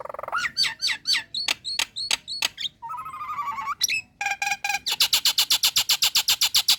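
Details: Female Nias hill myna in breeding condition, calling to attract males: looping whistled notes, sharp high clicks, a buzzy rising harmonic phrase, then a fast even run of rasping clicks with a steady low hum beneath.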